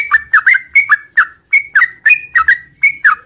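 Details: Morning song of a sooty-headed bulbul in the long 'ngropel' style: short bright whistled phrases, each a quick sliding note pair. Phrases come roughly every third of a second with small gaps. Otherwise quiet.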